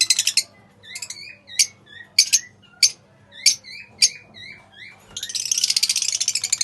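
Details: Pale fallow lovebirds kept as pets: single sharp high chirps roughly every half second to second, then a dense, rapid buzzy chatter over the last second and a half.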